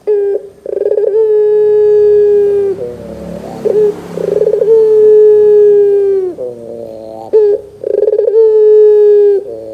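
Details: Barbary dove lure recording meant to get young doves calling: long drawn-out steady hoots of one to three seconds, each led in by quick stuttered notes, repeated several times over faint background hiss.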